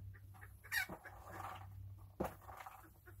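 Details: Chooks (domestic chickens) enjoying their day: two sharp, loud squawking calls about one and a half seconds apart, with soft murmuring clucks between them over a low steady hum.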